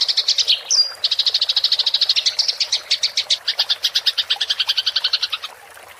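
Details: House sparrow, a fighting bird in rolling chatter style, recorded clearly as tutoring material for songbirds: a fast, dense run of sharp high chirps about three per second or faster, briefly broken near the first second, then fading out.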